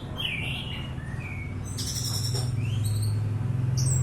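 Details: Orange-headed thrush singing: short clear whistled phrases, some rising and some slurred downward, spaced by brief pauses, over a steady low hum and background noise.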